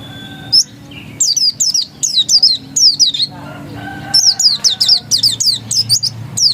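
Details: Pleci dakun, the oriental white-eye, in ngotot-style song: a lone opening note, then clustered high twittering phrases, with faint lower tonal sounds in the background.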